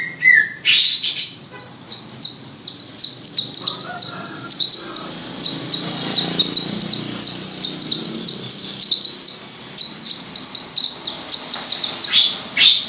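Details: Long, vigorous burst of white-eye song from Gresik, dozens of quick, thin, falling notes run together in a continuous chattering stream, opening after a short lower squeak.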